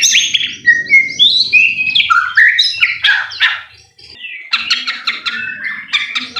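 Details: Provoking lure of white-rumped shama song: dense run of whistled and buzzy notes, a brief lull near the middle, then rapid stuttering phrases.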